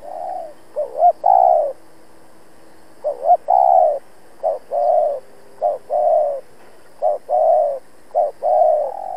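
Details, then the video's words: Spotted dove used as a decoy bird, calling to challenge and lure rival doves for trapping; repeated low cooing phrases of short rising notes followed by longer hollow coos, several sequences in quick succession, clean background. "Cu Gáy Mồi Cây thúc gù đấu bổi cực sung\ Cu gáy kích bổi nhanh nổi"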